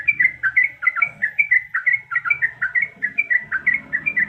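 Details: A female yellow-vented bulbul in breeding condition calls the male with quick chattering notes, paired rising-and-falling chirps in a fast, slightly uneven stream of almost three per second, clear and loud against a quiet low hum.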